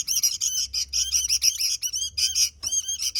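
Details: A sooty-headed bulbul sings vigorously in a short burst of bright, slurred chirps, several notes sweeping upward, delivered in quick succession.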